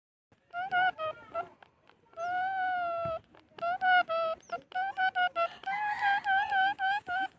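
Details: A talking parrot strings together clear, tonal, speech-like phrases with a long held note partway through and quick clipped syllables around it, in a quiet indoor setting.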